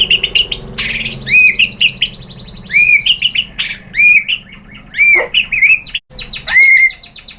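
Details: Provoking song of a white-rumped shama: high clear whistled notes alternate with scratchy bursts and short trills, delivered in repeated phrases with brief pauses.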